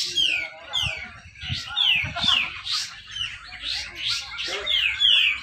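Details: At a Malinau, North Kalimantan bird contest, a cucak jenggot (Grey-cheeked bulbul) gives tight 'besetan rapet' song that urges silent birds to sing. Clean descending whistled slurs repeat roughly every half second, with low thuds between.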